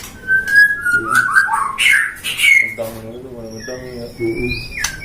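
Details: White-rumped shama, captive-bred at a breeder's aviary in Depok, Indonesia, a songbird kept for singing contests: clear whistled notes, some slurred and rising, in a quick run during the first half, then men talking over fainter phrases.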